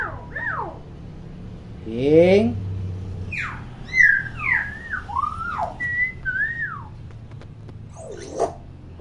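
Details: Common hill myna, a lively and chatty bird used as a model for young mynas that do not yet vocalise, giving a run of varied sliding whistles, some rising and some falling, with a low indoor hum beneath.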